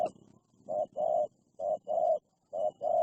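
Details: Spotted dove, a fierce wild bird reacting to a pet decoy dove during trapping: low hollow coos in pairs, a short note then a longer one, repeated about once a second.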